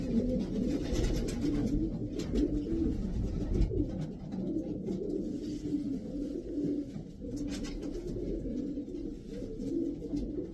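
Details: Twelve racing pigeons from the Davy Van Roy strain coo in a loft, low throaty rolls repeating irregularly, about once a second, amid light tapping and rustling.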